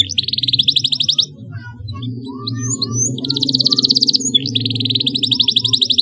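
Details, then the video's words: Canary chirps for teaching young birds to sing: three bursts of very fast, even trilling, each about a second long, over a continuous low droning background with faint slurred notes between bursts. "CUIT CUIT PALING AMPUH MERANGSANG BUNYI PAUD BELAJAR BUNYI"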